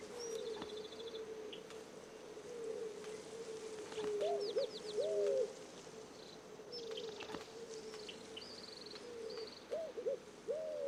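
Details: White-crowned Pigeon in the Florida Keys, where it roosts and nests on mangrove islands, gives low, drawn-out cooing notes that swell and bend upward now and then, with thin high whistles from other small birds behind.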